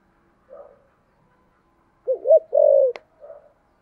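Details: Spotted dove with 'thổ sấm' voice style: a soft opening murmur, then quick paired hoots and a long steady low coo cut by a sharp click, then a faint trailing note.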